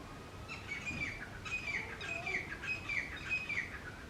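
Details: Loud joint calling of a male and female grey francolin: after a short lead-in, clear whistled notes repeat in a fast, slightly uneven series, with a constant hiss behind.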